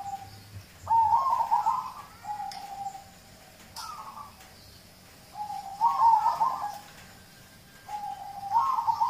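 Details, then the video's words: Song of a local zebra dove to encourage other birds to sing: three rippling, trilled cooing bursts spaced about three seconds apart, with soft single coos between them. "Audio terapi perkutut lokal untuk pancingan"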